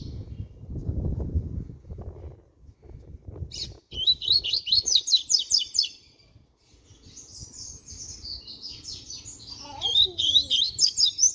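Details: Six-month-old double-collared seedeater (coleiro) just starting to sing, Capone song line: low rumbling noise first, then bursts of rapid high twittering notes and a falling slurred note near the end.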